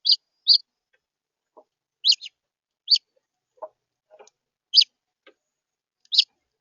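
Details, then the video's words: Red house finch in central Florida giving short, bright chirps spaced about a second apart, each a quick high note, with faint lower clicks between them and no other clear sounds. "Red house finch’s central Florida"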